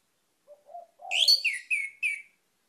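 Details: Soft low notes lead into a loud, clear phrase from an orange-headed thrush: a burst of whistled notes followed by three separate downslurred whistles.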